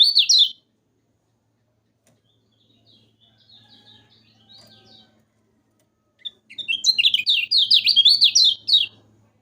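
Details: Yellow-vented bulbul, played to encourage kept birds to sing: a short high chirp burst, several seconds of near silence with faint twitters, then a long run of fast, scratchy, up-and-down notes.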